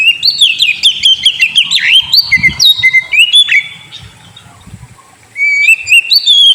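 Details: Kacer, the Oriental magpie-robin, in a lure recording meant to coax a sulking bird into song: a rapid, dense run of varied whistles, trills and chattering notes. There is a brief lull midway, then a loud resumption.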